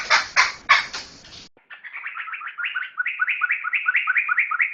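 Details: Laughingthrush singing in a training recording for other songbirds: a few harsh rasping bursts, then a brisk run of clear, rising whistled notes repeated rapidly and evenly.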